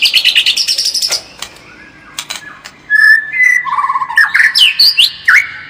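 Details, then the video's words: White-rumped shama lure song to sharpen its fighting spirit: a rapid chattering trill, then a pause, then varied whistled notes and quick swooping slurs. "SUARA PANCINGAN MURAI BATU AGAR MENTAL SEMAKIN FIGHTER"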